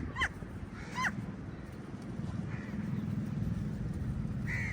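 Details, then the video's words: Lots of crows squabbling with eagles for a meal; a pair of short hoarse caws opens, then a fainter call and a later harsh caw over steady low rumble. "Lots of Crows fight with EagLes for meaL and Different Crow sounds"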